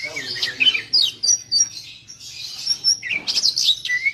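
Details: Oriental magpie-robin song used as a lure for trapping: a busy mix of high chirps, short whistled slurs and scratchy notes in quick bursts, with brief pauses between phrases and a faint low hum underneath.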